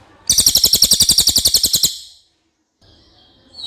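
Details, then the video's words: Common iora singing a clear, quick burst of high, buzzy repeated notes lasting under two seconds, then silence and a faint thin whistle. "suara cililin jernih"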